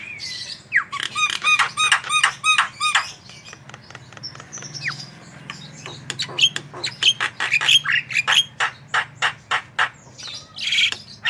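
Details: Javan myna in full vigorous song, used as a master recording to prompt other birds to sing: a run of rapid, nasal, harmonic notes, then a long series of sharp clicks and chattering chirps at a steady quick rhythm, ending in a harsh burst over a low hum.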